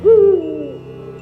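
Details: Eurasian eagle-owl from Poland, whose call carries best at night in the forest and gains a beautiful echo there. A single deep hoot with a quick rising onset holds steady, then fades into a long, reverberant tail.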